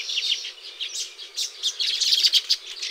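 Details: Baya weaver at its nest-building site in tropical habitat, giving a run of separate sharp, high chirps and short squeaky notes, loosely spaced at first, then coming faster and brighter toward the end.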